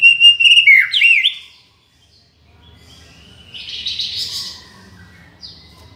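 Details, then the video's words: White-rumped shama (murai batu) song recorded as masteran and luring material: a loud, clear whistled phrase with sliding notes, then a quiet pause and a softer, buzzy rising phrase, ending with a brief high note over a faint low hum. "MURAI BATU (mp3) suara masteran & memikat"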